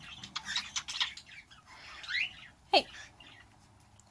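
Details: A male pet bird almost a year old, which imitates sounds its owner makes, gives short, varied chirps and a rising whistle, then a sharp kiss-like smack, among mimicked sounds including the Addams Family tune.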